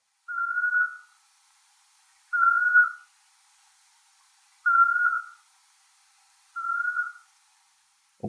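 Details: On a summer night, a nightjar gives its courtship call: four even, mid-pitched whistled notes, each under a second long and spaced about two seconds apart, against a still night background ending in a soft thump.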